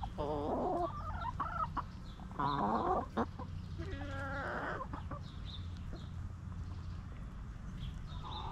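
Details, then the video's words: Backyard chickens in their coop, a rooster crowing among clucking hens: several drawn-out harmonic calls rise and fall over the first five seconds, followed by quieter clucks over a steady low rumble. "Rooster Crowing! Hens Clucking!"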